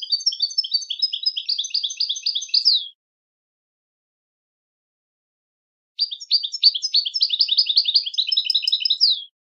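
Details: Two bursts of rapid tinkling twitter from a European goldfinch, dense high trills and chirrups lasting about three seconds each, separated by a three-second pause, with nothing else audible.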